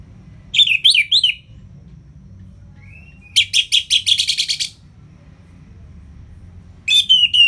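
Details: Orange-headed thrush singing in ngeplong style, used to prompt lazy birds to sing: three bursts of loud, high, sharply modulated whistled notes separated by pauses, with faint low hum beneath.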